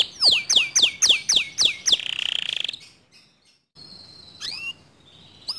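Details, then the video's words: Canary song said to excite other canaries into singing: a run of six loud falling whistled notes, a brief buzzy trill, then quiet gaps with a few scattered chirps. "Suara Kicauan Kenari ini Sering Kali Memancing Emosi Kenari Lain Agar ikut GACOR DOR"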